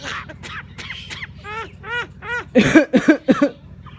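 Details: Pet common myna imitating human speech while talking with its owner; a run of rising-falling whistled syllables, then louder harsh, voice-like bursts repeated about three times a second.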